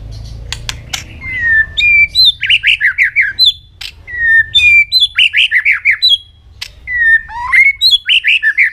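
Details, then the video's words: White-rumped shama singing to train its voice: long whistles near the start, then rapid runs of repeated descending slurred notes with sharp upper chips, bursts arriving in quick series, with faint clicks early on. "luyện chòe hót nhiều giọng.kích chòe lửa hót nhanh căng"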